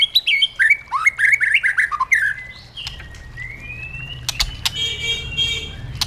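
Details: Caged white-rumped shama delivering wild-style song for training: a lively string of slurred whistled notes, then a long thin rising whistle, followed by clicks and a soft hiss in the background.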